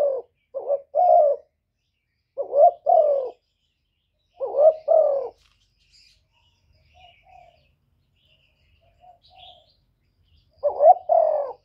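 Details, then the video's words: Spotted dove cooing and calling in the 'thổ thúc' voice to provoke wild doves: clusters of short hollow hoots, a gap of several seconds with faint soft notes, then another cluster near the end. "cu gáy giọng thổ thúc gù + gáy gọi giọng rất chuẩn để kích bổi"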